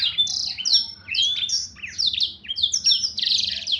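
A Black-throated Canary sings a fast, continuous run of high, sweet slurred notes and trills, rising and falling with barely a pause.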